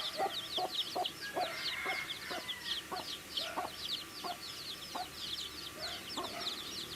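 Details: Baby chicks feeding and chirping, their high, quick peeps running continuously while separate low taps recur about twice a second.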